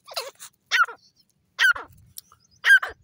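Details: Grey francolin of the Irani Dakhni type giving four loud, clipped, harsh notes in quick succession, each with a short falling inflection, spaced under a second apart.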